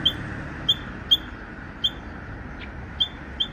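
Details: Wild Japanese bush warbler giving an unusual, odd call, possibly a young bird still practising: short, sharp high chips repeated about every half second, fairly evenly spaced, over a steady low background hum.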